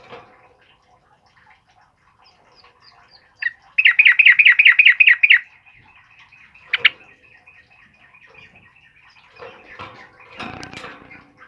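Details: White-crowned forktail in full 'gacor' song, recorded as a training master: a quiet start, then a loud fast rattling trill of rapid identical notes for about one and a half seconds, a sharp single note, then faint chatter and a scraping noise.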